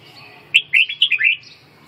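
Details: Red-whiskered bulbul delivering one brisk phrase of about six bright, slurred whistles in under a second.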